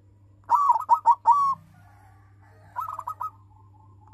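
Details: Silver-coloured captive-bred local zebra dove with a big voice, singing to provoke rival birds into song: a bold phrase of several rolling cooing notes, then a softer trilled repeat after a pause, over a steady low hum.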